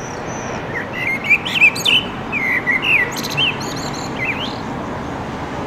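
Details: Male common blackbird singing at sunset near an Oradea railway footbridge to claim territory: clear whistled, wavering flute-like phrases, each trailing into thin high squeaks, over a soft steady background hum.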